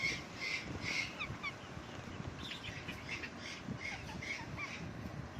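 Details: Parrot on a lemon plant, its scratchy, buzzy chirps delivered in loose clusters of two or three, loudest at the start, then continuing more softly with irregular spacing against a constant outdoor hiss.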